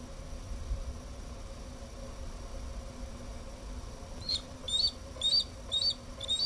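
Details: Bald eagle eaglet in a nest, seen on a live nest cam in MN on 20 June 2012 at 3:15 pm, a warm day with thunderstorms expected, looking around and calling out periodically: a run of five thin, high squealing chirps, each rising then dropping, over a steady faint hum.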